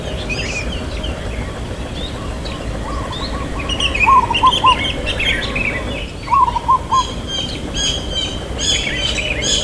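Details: Local zebra dove with a long "kuk" in the irama lelah rhythm: two phrases of three or four quick, low coos amid constant chattering and chirping of other birds.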